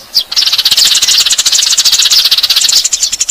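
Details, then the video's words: Lure sound of Eurasian tree sparrows: one sharp chirp, then a rapid, high twittering from many birds, with the notes crowding together into a continuous chatter. "suara pikat burung gereja"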